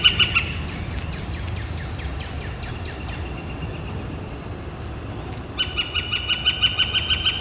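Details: Northern flicker in spring, April 28, 2014: a short burst of ringing repeated notes, a pause filled with faint background chirps, then the rapid even series resumes strongly.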